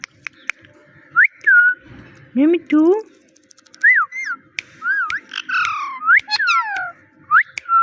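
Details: Talking parrot mimicking speech, saying "Mitthu" and "meow": sharp whistled arching syllables near the upper-middle range, short harsh nasal meow-like calls in between, repeated in quick bursts with brief pauses.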